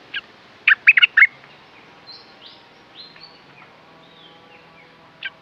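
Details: Caged red-whiskered bulbul producing a tight cluster of loud, punchy chirped notes near the start, then thin soft whistled slurs and one last sharp note after a pause.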